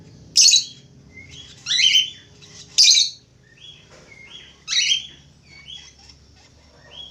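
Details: Lively budgerigar song, loud raspy chirps alternating with short whistled notes that rise and fall, four strong bursts followed by quieter chatter.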